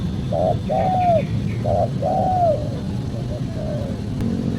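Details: Spotted dove cooing, a recording meant as a lure for calling wild doves: two rounded, mid-pitched coos, the second longer and falling, then softer trailing coos. A steady low rumble of background noise runs throughout.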